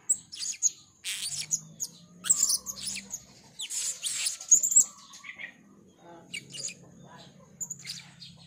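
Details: Rapid, shrill chirps and buzzy high notes from a blue-crowned hanging parrot, 'rintik merah' variety, calling vigorously in gocor style, crowded in the first half and thinning later, with low humming underneath.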